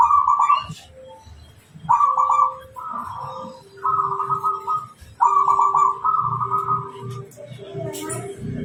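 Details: Zebra dove of local wild stock singing non-stop, song used for luring wild birds: short purring trills stepping between higher and lower notes, phrases repeated with brief gaps over faint low hum.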